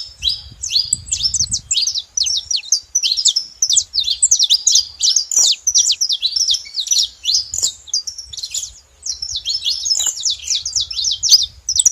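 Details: Saffron finches chattering together: twelve seconds of crowded, high, staccato chirps and rapid zigzag notes with only brief pauses, over light low background noise.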